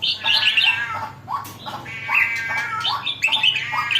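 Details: Red-whiskered bulbul becoming lively, giving bright warbled phrases with rising lower notes and some drawn-out, ringing harmonic notes.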